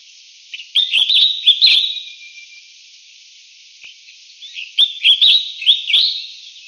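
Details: Collared finchbill, Spizixos semitorques cinereicapillus, calls in two bursts about four seconds apart, each made of four or five quick loud chirpy notes in a jumbled run, with faint hiss between.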